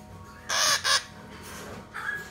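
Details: A captive male red-shouldered macaw chick about one month old, hand-fed and calm: two harsh, grating screeches in quick succession, then a softer, shorter squawk, over faint background noise.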